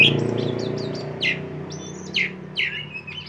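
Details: Oriental magpie-robin of the poci type, song used as a lure for raw untrained birds, giving a few short, scattered whistled chirps over a steady low hum.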